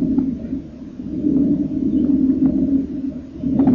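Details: Kingfisher nestlings inside their nest burrow, 30 April 2014, at feeding time as eyes begin to open and pin feathers lose their sheaths; a steady low buzzing purr rises and falls, with a few faint clicks.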